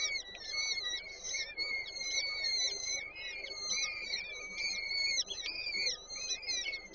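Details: Nest of peregrine falcons in Warszawa Żerań, Poland, 8 May 2023, female feeding the chicks: continuous scratchy, wavering calls with steady overtones, mixed with higher chittering notes near the end.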